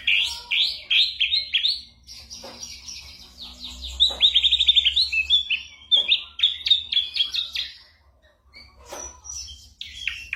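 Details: Ashy drongo imitating other songbirds and gunshots, played to train songbirds; repeated downslurred whistled notes, a fast rattling trill, more varied slurred chirps, a pause, then sharp clicks and high notes.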